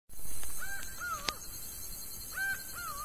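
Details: Laughing falcon in the sertão of Bahia, calling in two sweeping notes that rise, level off and then drop, one pair near the start and another near the end, with a sharp click between them.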